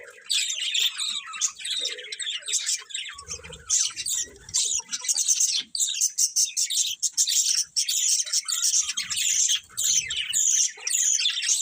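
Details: Pet budgerigars, brightly coloured, keep up a near-continuous high warbling chatter of chirps and squeaks, barely pausing, with a few faint low thuds.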